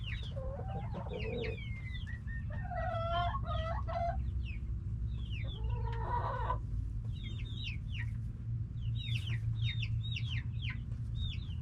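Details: Backyard hens and roosters in full voice: loud, harsh, layered squawking calls come in bursts between fast, high, falling chirps from many birds, all over a continuous deep rumble.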